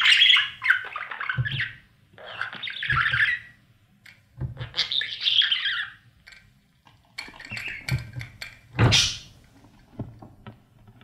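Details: Budgerigar babies in a nest box being fed by parents: bursts of harsh, scratchy chattering calls about a second long, roughly every one to two seconds, with soft thumps and rustling between them.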